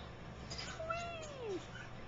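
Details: Pet female African grey parrot, playing in her water bowl, gives one drawn-out, falling, meow-like note lasting under a second, over a low indoor hum.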